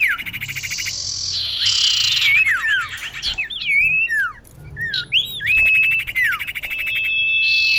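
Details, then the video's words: Female common iora call aimed at a male, a bird-luring sound: long rasping buzz, a string of looping whistled slurs, then a pulsed rattle and a flat sustained whistle. "Kicau cipoh betina memanggil jantan"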